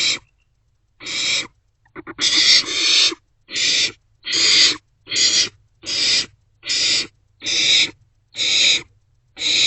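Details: Barn owl nestlings in a nest box around 2 am on 27 March 2024, sharing food. Brief clicks, then about ten harsh screeching hisses in quick succession, a couple running together.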